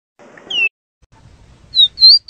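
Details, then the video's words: Rufous-collared sparrow (tico-tico) singing clear whistled notes: a downward-slurred whistle, a pause, then three short high whistles in quick succession, with a faint low rumble underneath early on. "SUARA BURUNG TICO TICO"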